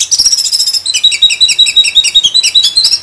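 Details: Black-breasted oriental magpie-robin (kacer dada hitam) delivering song packed with mimicked fills (isian), used as tutor song for other birds: loud, rapid, unbroken stream of high sharp chirps and trills, nearly three notes per second, with no other sounds.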